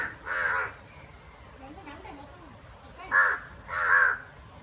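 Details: Harsh crow calls during a fight between two crows, one drawn-out caw, a long gap with faint sounds, then two more rough caws close together.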